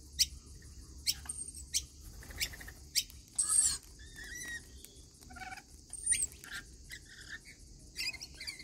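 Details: Rainbow lorikeets at a daily routine feeding give short, sharp screechy notes and brief whistles at irregular intervals, with a steady high hiss behind them.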